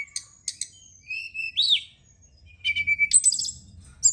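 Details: Brown-chested jungle flycatcher lure song for night use with kept birds: a few sharp chips, then a rising-falling whistled slur, a pause, and a steady whistle followed by a busy high twitter, low hum underneath.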